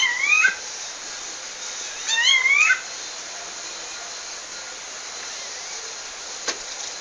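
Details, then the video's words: Female rufous-bellied thrush in nature in Pernambuco, Brazil, calling to a male: two rising, slurred whistled calls with overtones within the first three seconds, then steady hiss and a single click. "FÊMEA DE SABIA LARANJEIRA CHAMANDO MACHO NA NATUREZA"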